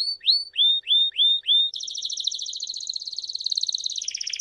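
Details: Canary singing meant for young canaries to learn: six clear upslurred whistles, then a long rapid buzzy trill that shifts pitch near the end.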